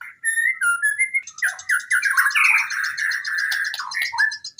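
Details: Varied white-rumped shama song from a training recording for quiet birds: clear rising whistles followed by a dense, continuous rush of buzzy mimicking warbles and trills.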